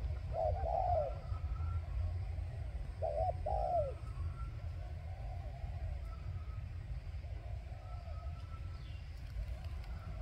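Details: Caged decoy spotted dove cooing to lure wild doves: two short, soft cooing phrases early on, then fainter coos, over a steady low rumble of traffic-like noise.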